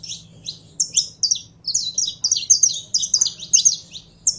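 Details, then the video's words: Captive saffron finch being warmed up, singing high twittering chirps that start spaced out, then run together into a dense, rapid sequence, with a faint low hum behind. "Canário da Terra Esquentando em 3 2 1!!!"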